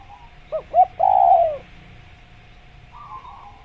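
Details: Spotted dove (tekukur) in a natural jungle tutor recording for kept doves: two brief hollow notes followed by a long, gently falling coo, then a soft buzzy note; low steady hum throughout.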